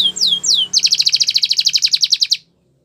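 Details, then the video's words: Spanish Timbrado canary training song: two drawn-out falling whistles, then a crisp, evenly pulsed trill of about twenty notes that stops abruptly, leaving silence. "Canary Training Champion Song"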